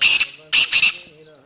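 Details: Black francolin calling from the top of a rock, giving harsh, grating, high-pitched bursts: three rasping notes in quick succession within a second and a half, over a faint low hum.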